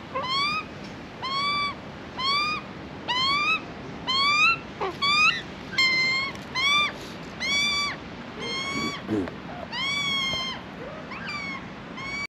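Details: Australian magpie juvenile in Australia still begging for food instead of feeding itself: harsh, harmonic, rising squawks repeated roughly every second, several longer drawn-out calls later on, and faint background noise.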